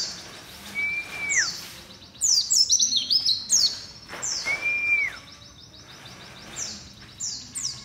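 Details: Loud singing white-eye: a soft whistled slur, then a quick run of shrill, tinkling descending notes, another falling whistle, and scattered high chirps afterward.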